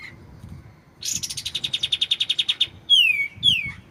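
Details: White-shouldered triller heard clearly for songbird tutoring: a long rapid rattling trill of evenly pulsed buzzy notes, followed by two loud whistles that swoop down in pitch.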